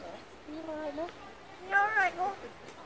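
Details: Magpie mimicking human speech in a Yorkshire accent, saying 'you alright love' and 'I'm alright'; two short voiced, speech-like phrases, the second louder and higher with a rising then falling contour, over quiet outdoor background.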